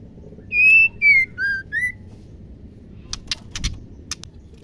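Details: Female white-rumped shama, a captive bird whose voice is used to make males sing: four clear whistles that step downward then lift, then a run of harsh rasping ticks.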